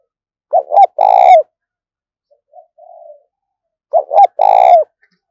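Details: Urging, luring coos of a spotted dove decoy used to attract other doves: two loud three-part phrases about three seconds apart, each a pair of short notes and a long rolling coo, with a faint soft coo between.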